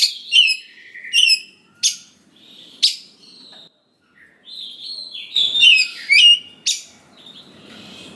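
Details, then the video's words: Oriental magpie-robin singing a basic lure song to excite young forest birds into responding. Sharp, separated whistled phrases with downward sweeps, a brief pause, then a tumbling run of bright whistles and clicks. "Pancingan Suara Dasar Kacer Gacor Cocok Sekali Untuk Pendongkrak Emosi Kacer Muda Hutan Agar Nyaut"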